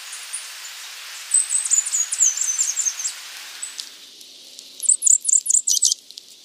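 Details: Slaty flowerpiercer song, a rapid high twittering run of squeaky chips lasting about two seconds, then a shorter, louder burst of sharp notes after a pause; soft hiss in the background.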